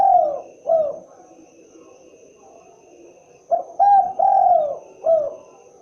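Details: Spotted dove cooing in soft, low, rounded notes. Two coos come first, then a quiet gap, then a run of three or four hooting notes, the middle one drawn out. Low background hum.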